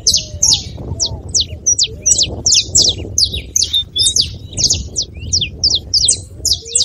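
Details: Saffron finch in full song, used to encourage a reluctant canary: sharp, high, falling chirps repeated almost evenly, roughly two per second, over faint low whistles from another bird.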